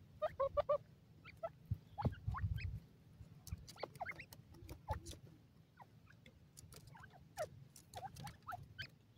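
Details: Black francolin chicks eating green grass in the wild; opening burst of rapid peeps, then scattered thin chirps and pecking clicks with a brief low rumble near two seconds.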